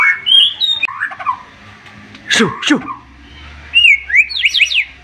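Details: White-rumped shama with sharp 'shots': whistled notes and warbles, two steep snapping downward sweeps, then a fast rising zigzag run of whistles.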